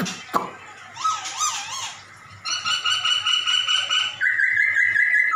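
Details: Black-throated laughingthrush mimicking cat sounds. Soft, wavy, undulating notes give way to a run of rapidly pulsed, rich harmonic tones, ending in a sustained, bright, high whistle.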